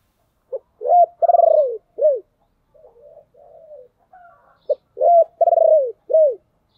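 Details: Decoy spotted dove singing to lure wild doves: two full phrases, each a short clipped note, then arched coos, a fast stuttering pulsed coo and a final falling coo, with soft low warbled coos in between.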